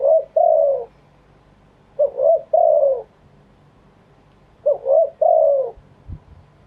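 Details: Wild-style cooing from a spotted dove: three repeated phrases about two seconds apart, each a quick double coo followed by a long, smooth, falling note, with quiet pauses between.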